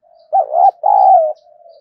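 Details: Spotted dove acting as a fight-provoking decoy: a quiet hum leads into a loud two-note coo, a wavering first syllable and a fuller held second, then fades back to a soft continuous murmur.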